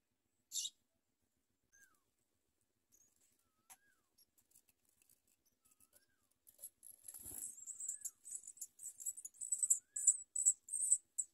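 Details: Feeding time for house sparrow nestlings, which bite at their mother: a single high chirp, a long near-silent stretch with faint ticks, then a thump and an intense burst of rapid shrill begging.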